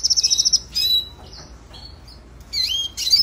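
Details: Red siskin (Spinus cucullatus), a small finch of northern Colombia and Venezuela, training song: a rapid high trill, then twittering notes, a slurred whistle, and buzzy high chirps.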